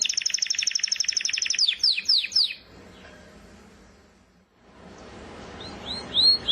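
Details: Canary singing a fast rolling trill of rapid repeated notes, then a few downward-sweeping chirps, a quiet pause with faint low background rumble, and brief high rising whistles at the end.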